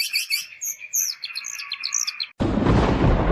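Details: Long-tailed shrike singing in the nitik style: a busy run of sharp, high chirps and whistled slurs over a steady buzzy tone, cut off after two seconds by a burst of loud broadband noise.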